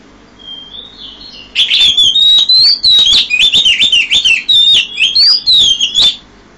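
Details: Early-morning Oriental magpie-robin song at 5 a.m.: a thin whistled lead-in, then a loud, continuous stream of varied, rapidly changing whistles and chatters lasting several seconds.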